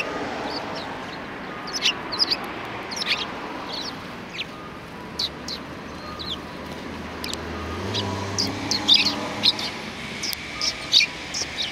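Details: Sparrows flocking to greet someone in front of a cultural hall, 7 February 2020, give thin, scattered high chirps, while a passing vehicle rumbles low in the middle and louder chirping returns near the end.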